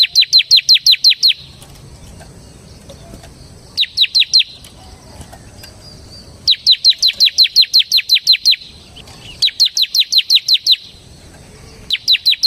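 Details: Bar-winged prinia, called ciblek, in a recording for luring and training birds: fast strings of high, descending chirps, roughly eight to eleven per burst, with pauses of one to two seconds.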